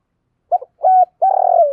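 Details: Spotted dove kept as a decoy, cooing to draw in wild birds. A brief broken note leads into a steady level coo, then a drawn-out rough, vibrating coo easing downward. No other sounds.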